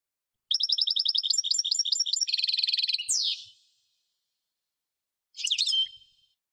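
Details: European goldfinch singing a rapid, tinkling series of repeated twittering notes, then a harsher buzzy run ending in a sharp rising-falling sweep, followed after a pause by a short nasal burst.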